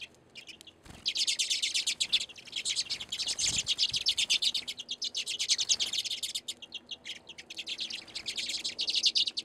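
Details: Feeder flock of redpolls, hardy winter finches, recorded from a back deck in Anchorage, Alaska, in February. After a quiet start, a steady stream of rapid, high, rattling trills and buzzy chatter fills the recording.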